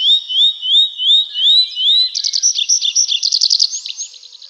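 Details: Nightingale singing at night in a forest: five rising slurred whistles, one about every 0.4 seconds, then a fast, choppy burst of pulsed notes that trails off.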